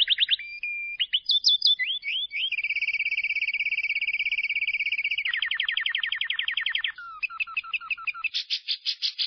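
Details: Lovebird ngekek for stimulating silent birds: varied whistled chirps and a sustained steady tone give way to a fast ticking trill, a few falling chips, and closing buzzy pulses.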